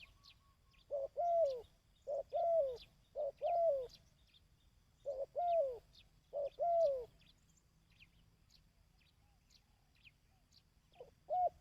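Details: Repeated dove coos for training decoy birds. Pairs of short, arched, low notes follow each other steadily for several seconds, then fall silent. Light chirping of small birds continues in the background.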